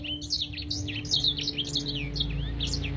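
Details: Black-throated canary contest-training master song: quick, high, looping whistled chirps and slurs sung continuously over a steady low hum and broad background noise.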